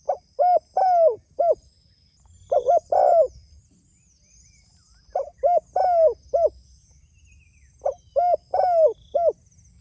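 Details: Spotted dove calling to others: three phrases of soft, low coos, each phrase four notes with the third drawn out and slurring downward, phrases roughly three seconds apart, over a faint steady high hiss.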